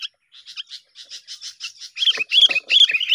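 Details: Sooty-headed bulbul chatter used as a lure for trapping birds: soft, evenly spaced chirps that quicken and grow louder into bright, warbled notes in the final second.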